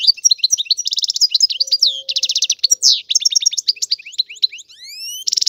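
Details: Continuous, lively song of a European goldfinch: dense high twitters, liquid trills and buzzy rattles, then rising slurred whistles near the end and a final buzzy burst.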